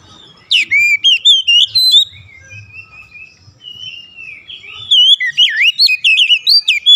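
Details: Magpie-robin (kacer) song intended to bait others into singing; a rapid run of high whistles, then a softer stretch of thin drawn-out notes, then another loud flurry of looping, slurred phrases.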